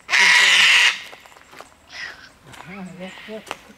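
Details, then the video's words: A cockatoo in the bush, disturbed by a person's presence, gives one loud, harsh, raspy screech lasting almost a second; a person then speaks quietly in the background. "The Cockatoo Screams"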